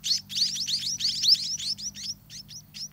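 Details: Munia chicks at the nest beg hungrily: a quick burst of high, sweeping squeaks that crowd together at first, then thin out into a few separate rising chirps.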